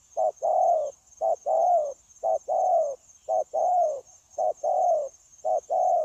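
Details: Cooing spotted dove, wild-caught, recorded at a trapping spot on 9 January 2024. Each phrase is a clipped low note followed by a longer, gently falling coo, delivered in regular rhythm, with a thin high-pitched drone behind.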